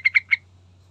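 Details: Three rapid, ringing chirps from a yellow-vented bulbul in a lure recording to provoke other birds, delivered within a third of a second, then quiet hum.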